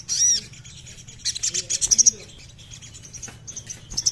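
Crimson Sunbird song: thin, very high, sharp tweets and quick chirps in loose bursts, opening with a brief glinting whistle; nothing else stands out.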